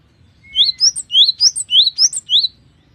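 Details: Cinereous tit in lively full song, said to be rich in variation with long phrases; a thin steady whistle opens, then about eight bright rising whistled notes follow quickly in a repeated two-part rhythm, clear and close.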